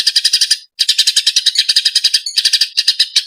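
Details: Agitated Eurasian tree sparrow in a tutoring recording: fast, scratchy chirping notes in quick succession, with one short gap near the start and a slightly varied burst toward the end.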